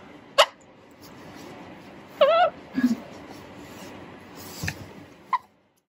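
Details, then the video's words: A 2.5-month-old Alexandrine parakeet, just starting to talk, gives a brief wavering voice-like warble, then a low murmur and a short squeak, among sharp clicks and knocks. "Baby Talking Parrot"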